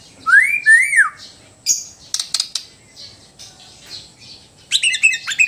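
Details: White-rumped shama from Sabah, Borneo, singing in relaxed and loud styles: two clear rising-then-falling whistles, a gap, sharp clicking notes, then a rapid burst of bright, varied twittering phrases.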